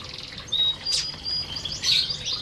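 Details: In an aviary, feeding canaries utter thin sustained whistles and bright bursts of high twittering, with soft rustling in the background.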